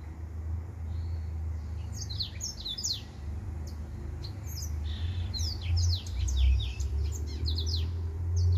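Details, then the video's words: A singing finch, named as a white tip finch, gives bursts of short high chirps and quick downslurred notes in loose irregular phrases over a steady low rumbling hum throughout. "White Tip Finch"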